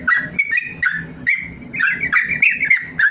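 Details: Yellow-vented bulbul, a caged bird, singing a long rapid 'ropel panjang' song used as a master to train lazy birds: quick warbled and chattering notes around the middle pitch range, with a steady low thumping pulse underneath.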